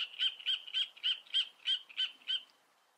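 A great reed warbler gives a run of eight harsh, croaking notes, about three a second, each one grating and frog-like, before falling silent.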